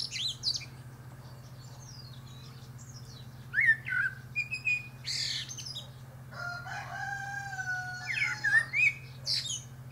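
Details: A Common Blackbird sings from the top of a pear tree: two phrases of mellow, fluty warbled notes, each ending in high squeaky twitters, separated by a pause, over a steady low drone.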